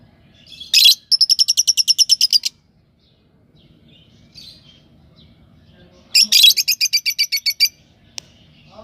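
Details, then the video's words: Lovebird chirping: two bursts of rapid, high, even chirps, each a quick train of about a dozen notes over one to two seconds, separated by a quiet gap. "love birds voice message sounds chirping sound"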